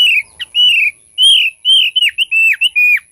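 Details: Thick-billed white-eye lure song: a close, loud run of sweet whistled notes, each arching up then sliding down, some ending in a sharp drop, delivered in quick succession against a steady faint high tone.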